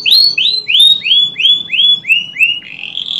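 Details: Canary singing, used as a lure to stimulate canaries that have stopped singing: a rapid series of about eight clear rising-then-falling whistled notes, steadily dropping in pitch, ending in a brighter buzzy trill.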